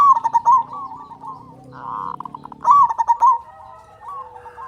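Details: Local zebra dove singing loudly, used as a lure to get quiet doves to sing: two bursts of rapid, throaty, stuttering coos, each ending in a rolling trill, separated by a softer pulsed phrase and faint low hum.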